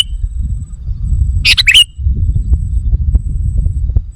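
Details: Sooty-headed bulbul call played as a lure for wild birds: a single short, bright chattering phrase ending in a quick whistled slur, then steady low rumbling noise.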